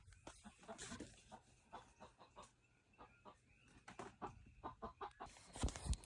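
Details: Two chickens, a white one that had escaped and returned and a black one, talk to each other in short, irregular bursts of soft, low clucks, with a brief louder squawk near the end.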